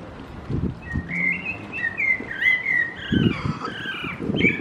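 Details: A common blackbird singing in December on a campus: soft, fluty, warbling phrases that rise and fall without a break, with low thumping handling or footstep noise underneath.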